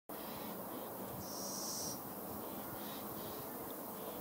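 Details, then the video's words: Fledgling little owl giving a single drawn-out, breathy hiss lasting under a second, high and noisy, over a steady low background hum. "Fledgling Little Owl"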